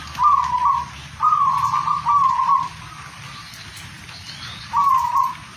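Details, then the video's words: Zebra dove, a local bird, cooing in rolling trilled phrases, two or three close together then a pause, with faint background hum. "perkutut gacor buat lawan emosi"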